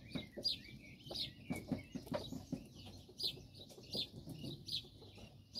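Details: On a cold day, Japanese quail snuggle together for warmth and give a steady run of short, high peeping chirps, with faint low clicks and shuffling underneath.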